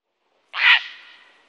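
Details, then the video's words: A grey heron gives a single loud, harsh croak, a rasping 'fraank' lasting about a third of a second that fades off with a slight echo. "Canto de la Garza real"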